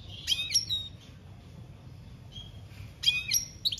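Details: European goldfinch, a wild field singer, giving short separate bursts of high twittering chirps with quiet gaps between them.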